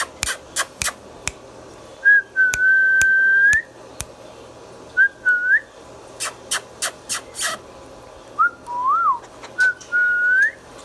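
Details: Talking pet Indian ringneck parrot producing long level whistles that rise at the end, with a few short slurred notes, broken up by bursts of quick sharp clicks.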